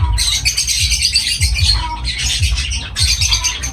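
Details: Pet lovebirds chatter in loud, shrill, rasping bursts that come in waves with short gaps between them.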